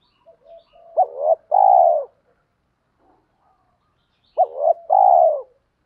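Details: Spotted doves cooing to stimulate birds in training: two matching phrases some three seconds apart, each a rising flicked note followed by a long warm coo, with silence between.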